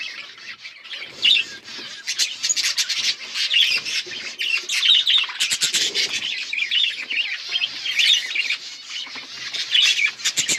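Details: Budgerigars, October 27, 2023, in continuous chattering song: scratchy warbles and piping chirps interleaved with rapid clicking notes, rising and falling in loudness.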